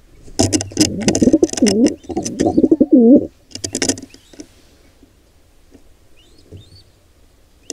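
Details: Wild pigeons at a nest where an intruder pair attacks a squab: warbling coos ending in a clear arched coo around three seconds, amid sharp scuffling knocks, then fading to faint rustles and thin distant chirps.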